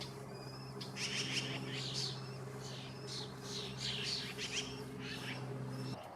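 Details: Several yellow-billed magpies in central California give a harsh, rough chattering: ragged, irregular bursts over a steady low engine-like hum.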